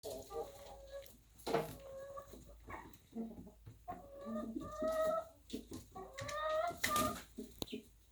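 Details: Chickens in a henhouse on a small farm cluck and give drawn-out, nasal, moaning notes. Calls from several birds overlap in uneven bursts, and a few short knocks and rustles are also heard.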